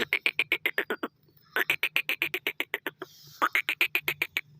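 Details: Black francolin: three bursts of rapid, harsh clicking notes, about four per second, each burst of around eight to ten notes with short pauses between, and a faint low hum underneath.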